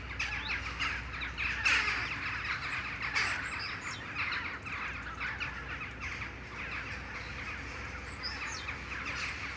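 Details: Flock of jackdaws returning from roost trees in the morning and gathering for a shared flight: a dense chorus of short, harsh, overlapping calls, with a few louder calls standing out against steady low background noise.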